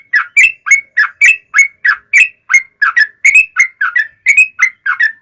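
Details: Rapid, even series of slurred whistled notes, about three per second, from a yellow-vented bulbul singing a long fighting roll meant to stir other bulbuls to sing.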